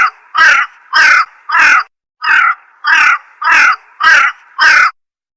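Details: Slender-billed crow (Corvus enca), a crow of forest, forest edge and coast up to 1,000 m. Eight loud, harsh, nasal caws come in a steady series about two per second, clear against a quiet background.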